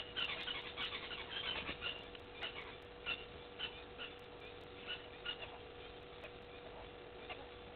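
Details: Helmeted guineafowl at Gowrie dam waterhole, Djuma Game Reserve, Sabi Sand, South Africa, 29 June 2021 at 17:28, with impalas present: harsh, scratchy clucks in an irregular series over a steady low hum.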